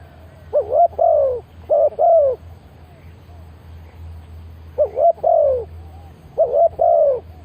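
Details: Decoy spotted dove calling to attract wild birds, with stuttered triple-note coo phrases given in two groups separated by a lull, over a low steady hum.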